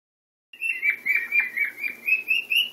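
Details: Pet male cockatiel singing unusually loudly to show off to another cockatiel during breakfast, giving a run of quick, warbling whistled notes around a steady high pitch, about four per second, ending on a rising phrase.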